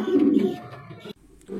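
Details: Male domestic pigeon, kept indoors, calling after a female was placed in with him: a deep, throaty coo in the first half second, then fading to quieter low murmurs with a short break.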